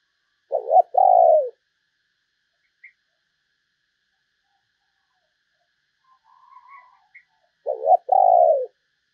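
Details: Spotted dove cooing used as a lure for other doves: paired low coos at the start, a long quiet gap with a faint distant coo, then another loud paired coo.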